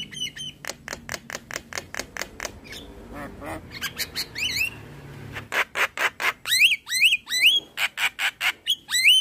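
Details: Javan myna morning song for young mynas: steady series of harsh clipped notes, a nasal buzzy section, then loud rasps alternating with rising hooked whistles.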